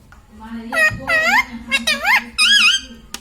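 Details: Domestic ringneck parrot chattering mimicked words: several nasal syllables with sweeping pitch, some rising and some wavering, strung into phrases over about three seconds, with a low room hum.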